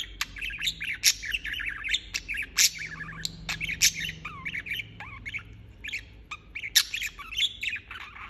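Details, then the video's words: Non-stop budgerigar chirping, a jumble of rapid warbled notes, squeaks and clicky bursts, with a faint low hum in the background. "Chirping non-stop"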